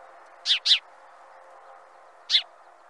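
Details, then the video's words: House sparrow chirping on a quiet background: two quick, bright chirps back to back, a pause of over a second, then one more chirp of the same kind. "Chant du Moineau domestique"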